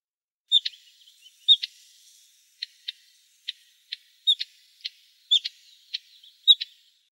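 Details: Bluethroat giving sharp, short clicking notes roughly every half second to a second, some paired with a brief clear whistle, in an otherwise silent setting.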